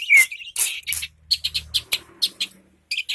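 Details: Long-tailed shrike delivering sharp, high chirps and scratchy rasps in quick bursts, with a faint low hum underneath and brief pauses between notes.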